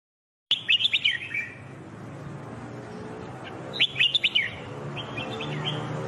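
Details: Red-whiskered bulbul singing-training recording with steady low background rumble; two bursts of rapid, chattering high whistled notes about three seconds apart, with fainter chirps afterward.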